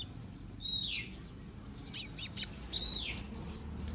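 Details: Bald young konin bird regrowing feathers: bright high chirps, a couple of downslurred whistles sliding lower, a short pause, then a run of quick repeated tweets near the end.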